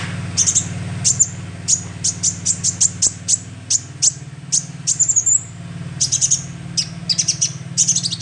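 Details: Young sunbird call played as a lure: a steady string of sharp, very high chips, single or in quick pairs and triplets, with one brief upward-sliding whistle in the middle, over a constant low electrical hum.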